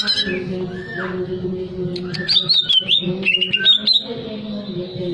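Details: Greater green leafbird singing to stimulate breeding arousal: a brief slurred note, then a busy series of high warbled, rising and falling whistles with clicks, backed by a constant low droning hum.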